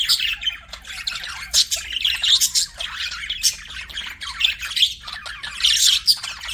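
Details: Budgerigar kept as a pet gives continuous high chattering chirps with scratchy squawks and bright whistled squeaks, rising and falling in loudness in bursts over several seconds.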